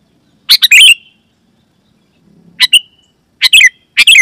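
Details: Sooty-headed bulbul calling loudly, used as a lure for wild and kept bulbuls. Four uneven bubbly phrases, the first longest with a drawn-out tail, plus a brief low rustle before the second.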